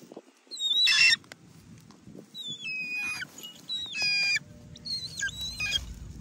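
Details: A trained hawk-eagle, out hunting birds in Cambodia, gives shrill, high whistled calls, some sliding downward, broken by two harsh scratchy bursts over about six seconds, with faint low rumbling behind.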